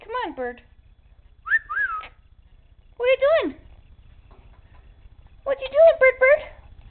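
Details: Caged pet male Quaker parrot, shy in front of the camera, known to say pretty bird and bird: short rising and falling chattering phrases in four bursts separated by pauses, with a person talking to him nearby.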